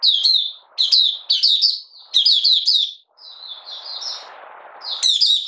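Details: High, fast warbling buka sing of a Malaysian Oriental white-eye, out of form and in minor moult, 31 July 2023; several clipped chirpy phrases, a softer trailing run over rustling, then a final sharp burst.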